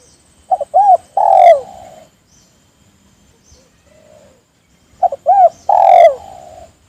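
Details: A spotted dove calls to draw others into calling. Two phrases about four seconds apart, each two clipped coos, a rising-falling coo and a drawn-out, falling, slightly rough final note, with quiet pauses between.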